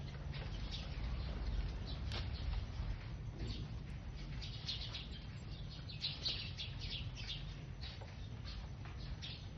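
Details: Sparrows eating together, their quick, irregular chirps piling into constant flock chatter, with wingbeats and a heavy low rumble running beneath the calls.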